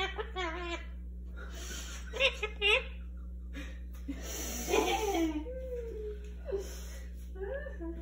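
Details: Talking rose-ringed parakeet (Psittacula krameri) chatters in short, high, speech-like phrases with rising and falling pitch, trading words with a woman in a small room, saying it wants to bathe.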